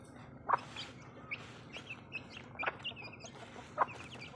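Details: Backyard hens feeding, giving short, soft clucks scattered through the clip, single dry pulses spaced irregularly about every half second to second, over a steady low background hum.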